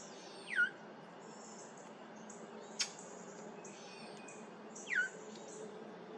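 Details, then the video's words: Brown thrasher at Maple Groves Cemetery, July 8, 2023, uttering an unfamiliar sound: two falling, slurred notes about four seconds apart with a single sharp click between, softer and more distant, with faint high chirps. "Brown Thrasher making unfamiliar sound"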